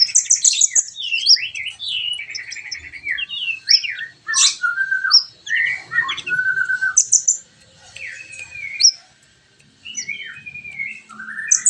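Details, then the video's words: Sunbird (kolibri ninja) song from a training recording for caged birds to sing fully and chatter: rapid high twittering phrases with sharp chirps and short slurred whistles, with brief pauses between bursts. "masteran burung Kolibri ninja agar cepet gacor dan ngobra"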